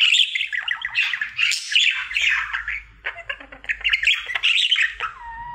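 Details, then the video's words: Pet budgerigar, a male, in his daily song: harsh squawks and chattering chirps in rapid bursts, closing with a clear drawn-out whistle, a low hum in the background. "Budgie singing for 1 Hour Happy song!"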